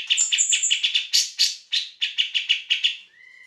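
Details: Grey-cheeked bulbul singing vigorously for training other songbirds: quick bursts of raspy chattering notes under a thin high whistle, slowing to spaced chips, then ending with a steady, lower whistled note.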